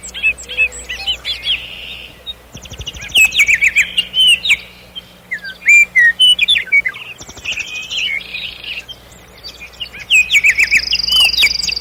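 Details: Common nightingale warbling in varied phrases: short sharp rattles, liquid whistled slurs and buzzy trills, separated by brief silences.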